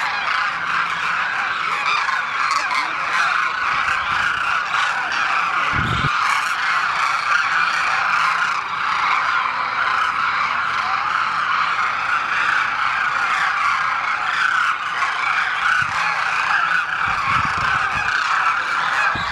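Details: A flock of demoiselle cranes in Rajasthan, India, keeps up a dense chorus of dry, rolling, goose-like calls.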